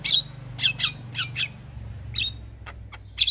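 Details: Javan myna singing in a cage: short harsh squawks and clicking chirps in quick bursts, then sparse sharp notes with pauses, over a low steady hum.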